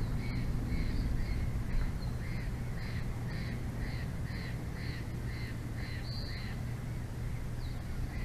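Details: Bald eagles calling at the nest in Big Bear Valley, 06/02/2024, 22:33, from a live camera: a rapid run of short, clear, arched notes, roughly three per second, then a longer high note, over a constant low hum and wind.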